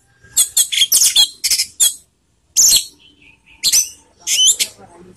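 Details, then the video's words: Orange-headed thrush, a lure for emotion and breeding urge; loud harsh, scratchy mimic-like notes delivered in quick bursts, with pauses between phrases and a few thin whistles. "PANCINGAN ANIS MERAH TELER || menaikan emosi dan birahi"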